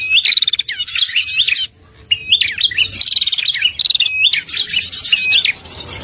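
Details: Red-headed prinia calls used as a trapping lure: quick, high, hooked chirps mixed with buzzy rattles, a half-second silence, then more rapid chirping.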